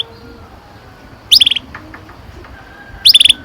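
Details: Canary, kenari, giving two short bursts of quick high chirped notes about two seconds apart, separated by quiet background with faint distant tones.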